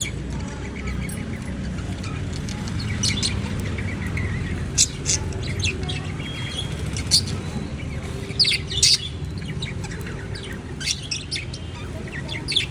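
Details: Budgerigars preening give short, sharp chirps and scratchy notes over a steady low hum.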